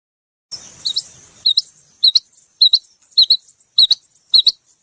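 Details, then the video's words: A female rain quail gives high, thin doubled chirps repeated about every half second, after a brief rushing hiss at the start. "Female Rain Quail Sound//چڑینگے بٹیر کی مادی کی آواز"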